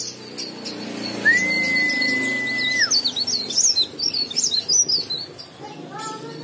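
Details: Leaf warbler song used as a lure to make other leaf warblers sing: a rapid high twittering warble of jumpy notes, with a long steady whistled tone running beneath at first.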